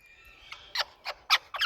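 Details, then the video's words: Indian talking rose-ringed parakeets making loud noises: four short, harsh squawks spaced about a quarter second apart near the end, after a quiet start with faint background. "Loud🎊Noises Indian Talking Parrots"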